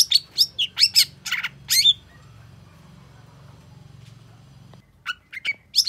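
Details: Long-tailed shrike singing excitedly in response to a rival. A quick run of sharp, high chirps and buzzy notes, then a pause filled with low hum, then a few more bright notes at the end.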